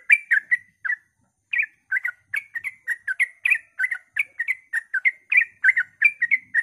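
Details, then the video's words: Rapid dawn ropel singing by a sooty-headed bulbul, intended to provoke other bulbuls: a few quick notes, a brief pause, then a lively run of chirpy, warbling whistles. "suara trucukan ropel pagi subuh AMPUH memancing trucuk agar ikut gacor"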